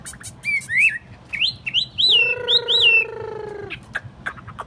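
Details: Tame caged Chinese hwamei on a table. Bright looping whistles alternate with a sustained, lower, buzzy nasal tone held for about a second, then a few sharp clicks.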